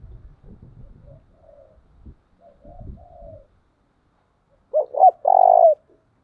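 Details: Spotted dove decoy bird for training: distant coos among low knocking sounds, then a loud close phrase of two looping coos and a long steady coo.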